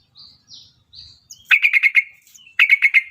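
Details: Yellow-vented bulbul, a prospective champion songbird from Java: a few thin high whistles, then two bubbly bursts of about six rapid, even chattering notes, each burst under a second long, with short silences between.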